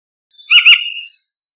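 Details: Eurasian golden oriole uttering a single harsh, buzzy, nasal call of under a second, rough-edged and slightly wavering, with no other sounds present.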